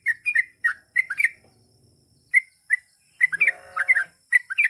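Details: Sooty-headed bulbul in lively, vocal form, singing the long "ropel panjang" style: bright chirpy two- and three-note phrases, a short pause midway, then a dense cluster of quick notes with a brief buzzy, harmonic sound underneath.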